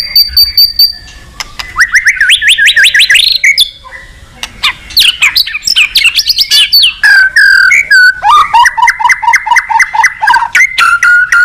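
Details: White-rumped shama singing energetically to call a rival: a fast, varied run of loud whistled phrases, rising slurred notes and sharp chips, ending in a steady series of repeated two-note whistles.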